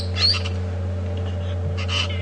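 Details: Parrots flying over during a morning safari drive at Djuma Game Reserve on 12 April 2015 give two brief bursts of shrill, squeaky chirps under a steady low engine hum.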